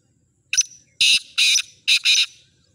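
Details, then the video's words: Black francolin kept for sale giving its full call: a short sharp note, a pause, then four loud, harsh, rasping bursts in quick succession, the last two closely paired, over a quiet background. "Kala Teetar Ghangas Full Awaaz"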